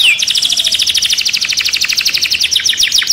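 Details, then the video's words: Caged canary, agitated, delivering a rapid high trill of evenly repeated chirps, steady and unbroken for three seconds, with faint background hiss. "كناري هائج داخل القفص A raging canary in the cage"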